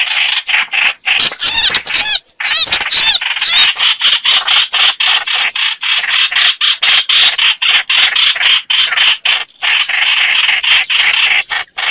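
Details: Chao chảo bird lure calls for bird trapping: steady scratchy chatter in quick pulses about twice a second, with a cluster of looping, warbled high whistles around the second and third seconds.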